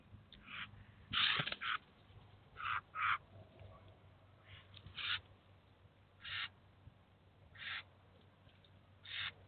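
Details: Eurasian jay with its chicks at a cheese feeder in the city of Kaluga, the adult leading the young there to teach and feed them; faint, harsh rasping bursts recur every second or so against a low steady hum.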